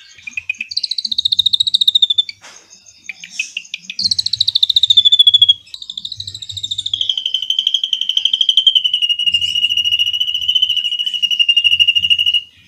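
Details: Drongo delivering long 'cililin' trills for training white-rumped shamas: extended bursts of very fast whistled notes, each run gliding downward in pitch, separated by brief pauses and a few harsher chirps.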